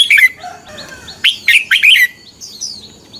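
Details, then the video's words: Red-whiskered bulbul fighting song for morning singing practice: a quick warbled note, then a burst of three bright slurred phrases, followed by softer high chirps. "Luyện chào mào hót sáng. chào mào hót đấu"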